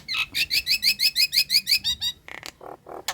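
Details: Nias hill myna female in breeding condition calling the male, giving a fast string of about twelve identical bright, upward-hooked whistled notes, then a few lower harsh, grating bursts.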